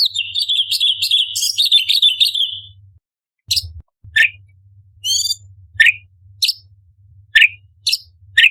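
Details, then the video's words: Orange-bellied leafbird in a 'tembakan' style tutor recording: a warbling, twittering phrase of mid-high whistles, then after a pause crisp single chirps and a brief harmonic squeal, spaced irregularly over a soft low hum. "Cucak Cungkok Istimewa ~Tembakan Istimewa Pedas - Burung Masteran Lomba - Orange Bellied Leafbird"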